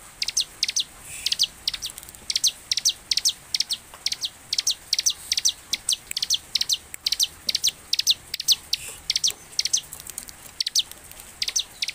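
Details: Bar-winged prinia singing vigorously, a recording used to coax other prinias into song; rapid runs of very high, thin, sharp notes delivered in quick bursts throughout, with short gaps between bursts and a faint hiss in the background.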